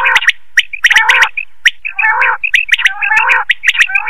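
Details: Quail giving harsh, gurgling chatters in quick bursts about once a second, with sharp clicking notes between them; a call used at night to lure quail into nets.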